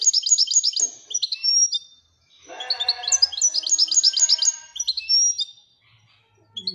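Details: Royal goldfinch singing: rapid, high, bright twittering bursts of short chirps and trills, delivered in fast runs with brief pauses, with a fainter lower warbling layer under the middle passage.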